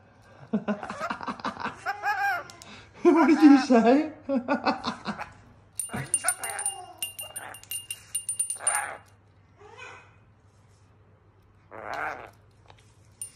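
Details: A pet rainbow lorikeet, described as a clown, gives a long run of loud, rapid, warbling chatter and speech-like babble. It then breaks into a few short separate calls, and bell jingles sound in the middle.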